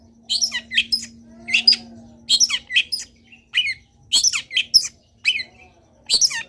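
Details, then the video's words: Long-tailed shrike in busy full-fill song: harsh chattering high notes in short clusters with brief pauses, some softer buzzy lower notes between, and a constant faint low hum. "CENDET GACOR BIKIN BURUNG CENDET LAIN IKUT BUNYI - MASTERAN CENDET GACOR FULL ISIAN"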